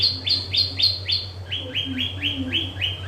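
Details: Yellow-vented bulbul, a caged songbird kept for song, singing a fast series of short downslurred whistled notes, about four per second, first higher then slightly lower, with a steady low hum underneath.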